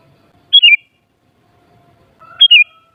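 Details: Two clear whistled phrases from a sooty-headed bulbul, each a high note that steps down into a slurred falling whistle, about two seconds apart. Faint tonal hum in the background.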